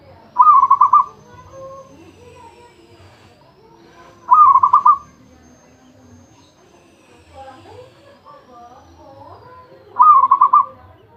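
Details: Zebra dove said to be a champion sings three pulsed, bubbling phrases roughly four to six seconds apart, with fainter chirps and rustling sounds between them.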